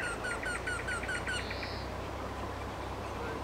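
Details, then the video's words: Singing Eurasian wryneck gives a short run of about seven nasal, ringing notes in quick even succession, then stops; a brief hiss and faint low hum fill the quieter remainder. "Вертешейка поет 4K | Wrynech singin 4K"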